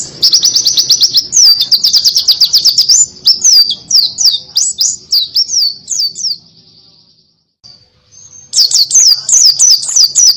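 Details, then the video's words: White-eye in canary-style 'tembakan' song, used to stir reluctant birds: long stretch of rapid, high, slurred notes, a sustained buzzy tail, a short silence, then a renewed fast burst. "PLECI TEMBAKAN KENARI‼cocok buat pancingan burung yang lagi malas bunyi"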